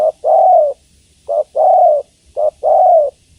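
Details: A female spotted dove calls for a male. She gives short coos, each followed at once by a long, steady, hoarse coo. Three phrases come about a second apart against a quiet background.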